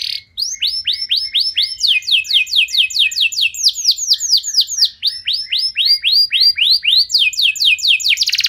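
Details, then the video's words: Sharp 'nembak' canary song used as a lure to start other canaries singing: unbroken chains of bright down-swept notes, about two to three per second, with the tempo and pitch shifting between phrases. "Kenari Anda Bisa Gacor Seketika Dengar Pancingan Kenari Nembak Joss Ini"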